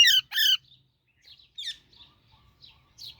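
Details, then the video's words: Two loud, harsh, closely paired squawks from a baby Alexandrine parakeet open the recording, then a few faint, thin high chirps follow. "Super Cute Baby Alexandrine Parrot Natural Sounds | Baby Parrot Chirping Sounds"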